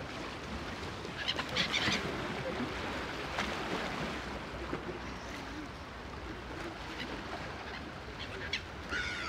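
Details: Common gulls at Lake Geneva, Switzerland, give a few short, nasal mewing cries in scattered bursts, set against steady lapping water.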